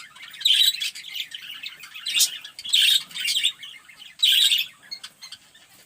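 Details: Zebra finches in a small aviary, where they have started carrying nesting material, give nasal, buzzy, trumpet-like calls in short bursts with softer chatter in between.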